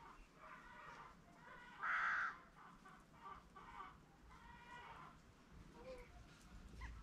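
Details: A farm peafowl, green and Spalding birds, utters a single loud nasal honk near two seconds, followed by quieter drawn-out harmonic calls and faint rural background noise.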